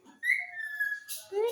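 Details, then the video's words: Green pet parrot whistling: a clear, slightly falling tone held for about a second, then a brief noisy burst and a lower whistled note, in a quiet room. "Talking Parrot"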